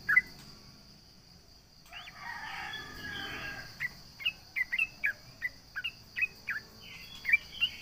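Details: Trucukan (sooty-headed bulbul) singing to goad rivals: an opening chirp, a hazy rushing noise, then a run of short, evenly spaced chirps, above a steady high whine.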